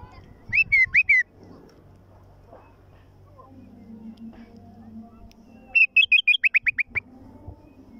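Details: Bulbul song from Iraq: two bursts of loud, rapid bubbling notes, a short phrase near the start and a longer run of about eight quick repeated notes later, over low hum and faint background voices.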